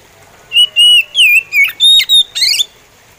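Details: Slow song of an oriental magpie robin: a run of seven loud whistled notes, level at first, then dipping and sliding, closing with a scratchy upward-sweeping note; the surroundings are otherwise quiet.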